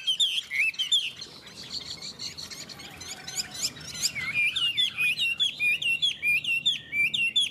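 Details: Chinese hwamei in a two-bird singing contest: dense, high, varied chirps giving way to a steady string of bright looping whistled notes repeated quickly and evenly.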